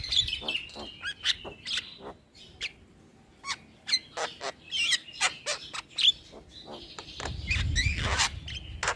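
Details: Starling training recording for young birds: a long series of sharp clicks and rasping chirps with brief whistled slurs, growing denser toward the end over faint low rumble.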